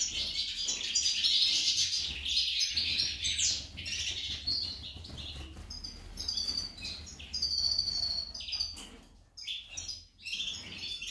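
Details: A female goldfinch sings a fast, tinkling twitter of high chirps and trills, running almost without a break, likened to a hummingbird, over a faint low hum.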